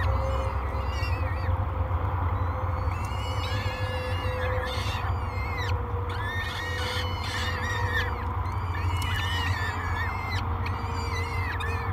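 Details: Three hungry peregrine falcon chicks begging at breakfast, Great Spirit Bluff nest cam, 24 May 2022: dense bursts of harmonic, rising-and-falling wailing calls throughout, over a constant low hum from the camera.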